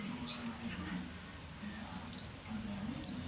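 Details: Olive-backed sunbird (Cinnyris jugularis), call notes.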